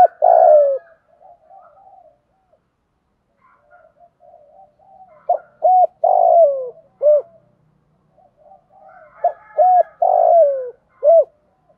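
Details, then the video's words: Spotted dove giving thúc gù cooing meant to stir up other doves: three bouts of clipped hollow notes, each ending in a long burry coo that drops in pitch, with soft murmured notes filling the gaps. "tieng chim cu gay thuc gu cu cuom THÚC GÙ, cu gáy kích bổi giọng hay"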